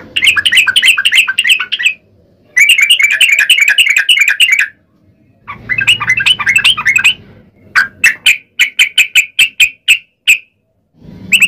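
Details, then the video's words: Lure song of a Sooty-headed bulbul in 'ropel panjang' style, played to set other bulbuls singing. Dense trilling bursts of chattering notes alternate with short pauses, ending in a string of spaced, sharp notes. "trucukan gacor ROPEL PANJANG buat pancingan trucukan agar bunyi"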